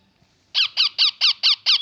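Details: Baby parrot calling indoors: six loud, evenly spaced squeaky chirps, each a quick downward-sliding note, repeated about four times a second after a brief quiet start.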